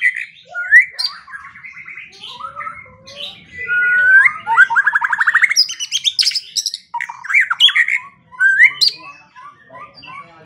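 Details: White-rumped shama in a morning-and-evening lure recording, singing a rich, varied song of loud clear whistles, fast rising trills and scratchy notes, running almost without pause.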